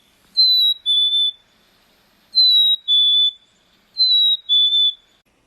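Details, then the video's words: In spring, a chickadee gives its nesting song: a clear two-note whistle, a high note falling to a slightly lower one, repeated three times about every two seconds. "in the spring you'll hear the chickadee nesting song"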